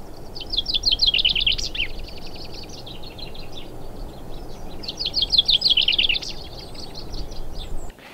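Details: A chaffinch in freezing weather on the west of the Llŷn peninsula, north Wales, newly joining the dawn chorus, sings two bright, cascading phrases of rapid descending notes, each ending in a flourish, about four seconds apart, with other birds faintly behind.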